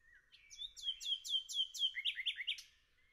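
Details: Forest nightingale song phrase: a soft rising whistle leads into a run of about six loud, downward-swept whistled notes, ending in three quick, harsher high notes.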